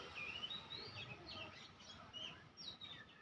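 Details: Oriental magpie-robins, several gathered and perched near a house in a city neighbourhood in Thailand, giving clear, high whistled notes, short rising and falling slurs in quick succession, over steady background hiss.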